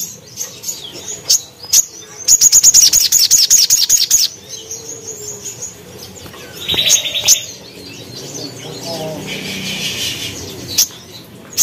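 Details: Crimson sunbird, a cage bird singing in the lively gacor manner with sharp tembakan bursts for training other birds; a fast run of very high, thin ticking notes for about two seconds, with scattered chirps and soft rustling around it.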